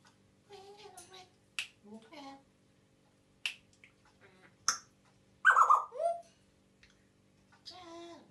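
An African grey parrot mimicking speech in short, wordlike phrases, with sharp snapping clicks between them and one loud, squawky burst near the middle.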